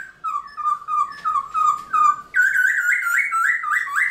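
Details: Caged Black-throated Laughingthrush practising its dawn song to rouse other laughingthrushes: a string of short, level, mellow whistles about three a second, then a higher, continuous warbling series of rising slurred notes.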